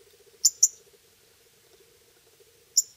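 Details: Pyrrhuloxia nestlings or fledglings begging as the male parent feeds them in Terlingua, Texas, summers 2013–2014; a quick pair of piercing high chips, then a lone one later, over a steady low hum.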